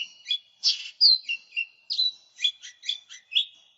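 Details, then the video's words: Lesser green leafbird singing continuously for lure and tutoring use: a lively string of clear whistles, quick downslurs and crisp chips delivered almost without a break, high-pitched and clean. "Cucak Ijo Mini Gacor, Suara Pikat, Masteran"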